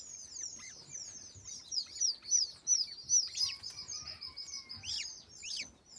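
White eared pheasant chicks give a rapid, overlapping stream of thin, high peeping notes, several each second, with soft rustling beneath.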